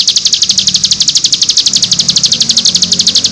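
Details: High, rapid nembak-style trill from a cigun, one of six song variations for tutoring untrained birds, with about four clipped notes a second, each a sharp chip, steady and unbroken over a weak background hum.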